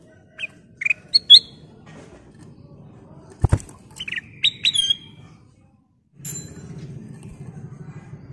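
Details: Ruby-throated bulbul (kutilang emas) used as a lure to make other birds sing, giving scattered short whistled and slurred notes over a steady low hum, with a sharp click midway.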